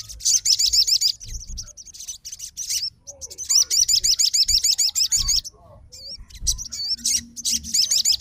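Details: Sogon (Crimson Sunbird) fighter bird reacting at once to another sogon's song: long runs of very high, rapid, wavering trilled notes, about three per second, broken by short pauses and single chirps.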